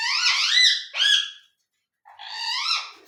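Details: ['Ring-necked parakeet talking indoors: a long, strained, wavering syllable and a shorter shrill one, a pause of about half a second, then another drawn-out buzzy phrase.']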